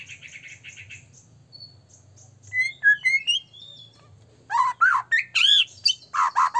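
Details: Vigorous white-rumped shama song, meant to provoke other shamas to sing and get agitated: soft quick chirps, a string of thin rising whistles, then loud, full, varied slurred phrases repeated in bursts.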